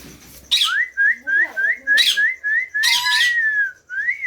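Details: Feeding-time begging from rose-ringed parakeet chicks: a quick chain of rising whistled notes, several per second, overlaid with rough screechy outbursts, ending in one longer upslurred whistle.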